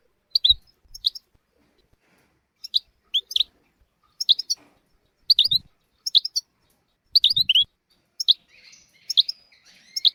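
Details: Goldfinch tutor song meant to teach young goldfinches and canaries: sparse, crisp double tweets at high pitch, repeated every second or so with quiet gaps and a few soft low knocks.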